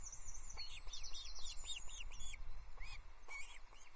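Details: Osprey chicks calling during a fish handover at Loch Arkaig, 20 June 2024, the small trout shared peacefully, the older chick taking priority. A string of high, arched squeals, then sparser single notes over steady wind noise.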